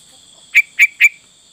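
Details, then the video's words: Sooty-headed bulbul singing in the full isian style: three short, clear whistled notes a quarter second apart, each dropping slightly in pitch. A steady high electrical-like hum runs underneath. "Burung Kutilang Fulll isian"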